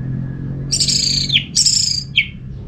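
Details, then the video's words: Orange-headed thrush, a kept songbird in North Bali, Singaraja, Indonesia, used as a sound lure to set other thrushes singing: two rich bursts of high, harsh, descending phrases, then a short downslurred note, over a low steady hum. "Suara burung ANIS MERAH ini ampuh bikin ANIS Jenis apapun ikut bunyi"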